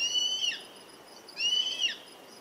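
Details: A young Black-and-chestnut Eagle, Spizaetus isidori, from Ecuador, calls twice with piercing, slightly wavering whistled screams about a second apart; faint continuous insect hum behind.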